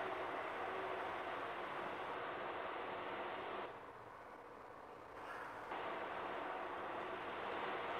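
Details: Continuous broadband roar like traffic or wind, dipping briefly in the middle, with no animal calls.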